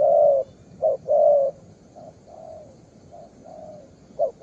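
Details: A young spotted dove gives low, throaty coos. A long opening note leads into short clipped notes and another long coo, then softer trailing coos. The background is quiet.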